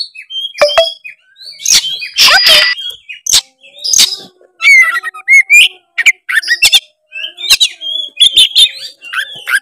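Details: Oriental magpie-robin singing vigorously to seek an opponent, played to stir a lazy bird into song; a jumble of sharp clicks, scratchy bursts and rising and falling whistles delivered in quick runs.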